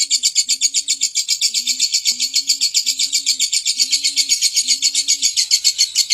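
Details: Lovebird giving long, talkative ngekek chatter: a dense, rapid stream of harsh high chirps pulsing about four times a second without pause, over a faint low humming tone that comes in short bars.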